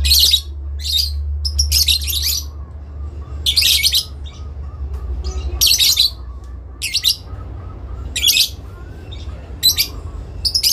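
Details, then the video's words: Adult lovebird trading calls with a rival in a long ngekek; shrill grating bursts repeated about every second or two, with soft low chirps between them and a steady low hum throughout. "induk love bird ngekek panjang , saling nyaut memanggil lawan"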